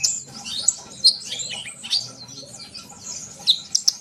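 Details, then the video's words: Soft, high sunbird twittering used to coax young birds into song; slurred chirps and sweeping notes with a few sharp, loud ticks near the end. "kolibri bahan pasti yaut dengar suara konin ini gacor?"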